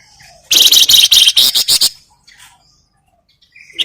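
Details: Grey-headed canary-flycatcher (flamboyan) in vigorous song for luring other birds into singing: a loud run of about ten rapid, buzzy pulsed notes lasting under two seconds, then near silence with faint chips.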